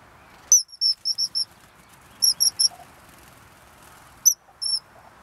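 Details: Common kingfisher at Plevník-Drienové, Považská Bystrica, Slovakia: shrill, piercing high whistles in quick runs of four or five, then three, then single notes, over a faint low background murmur.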